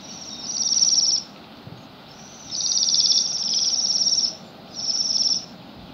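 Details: Bohemian waxwings eating rowan berries on a gloomy December day by a road in Pushkin, St Petersburg, Russia: high, buzzy trilled calls in three bursts, each lasting about one to two seconds, separated by short quiet gaps.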